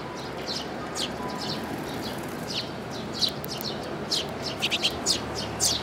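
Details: Sparrows with their nestlings on 13 May 2018, giving bright, clipped tweets that start sparse and then bunch into rapid runs of overlapping chirps toward the end, over a constant background hiss.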